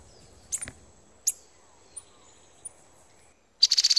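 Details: Male Violaceous Euphonia at a birdfeeder in the Brazilian Atlantic Forest gives sharp, high chips about every 0.7 seconds, then a quick burst of rapid, bright notes, with a faint insect-like hiss running steadily behind.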